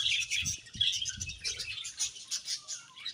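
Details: Busy budgie chirping fills the clip: rapid high twitters and short warbled phrases from several birds overlapping, with a few soft low thumps at the start.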